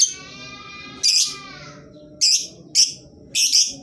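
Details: Lovebird song used as a lure to prompt quiet lovebirds to sing: shrill, piercing chirps in four sharp bursts, the first preceded by a buzzy drawn-out note, over a low background hum.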